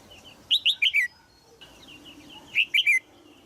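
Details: Caged female red-whiskered bulbul, Thailand, calling to encourage a young male to sing: a loud run of four bright falling chirps, softer twittering notes, then another burst of three chirps.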